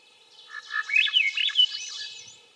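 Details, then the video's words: Swainson's thrush song: a rapid phrase of fluting, whistled notes spiralling upward in pitch over about two seconds, swelling then fading, with no other clear sounds. "Swainson's Thrush - Bird Sounds"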